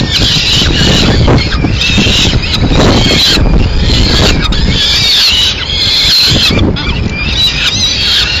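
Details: Madrid peregrine falcon, 30 April 2016, female landing with a scrap of pigeon: long stretches of harsh, screechy calling broken by short gaps, set against persistent low city noise.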